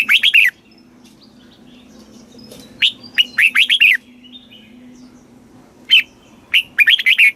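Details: Thai caged red-whiskered bulbul, southern master-song style meant to rouse other birds and teach young birds: three lively warbled phrases of clear, rolling notes separated by quiet gaps of one to two seconds.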